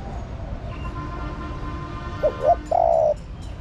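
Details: A female spotted dove gives one cooing phrase meant to stimulate the male: two quick short coos, then a sustained low coo, following a stretch of quiet background with distant faint bird notes.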